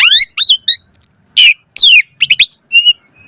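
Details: ["Asian pied starling giving a varied 'mompa' song full of ornate fill phrases: harsh buzzy notes mixed with whistled rising and falling slurs and quick doubled chirps, separated by short pauses."]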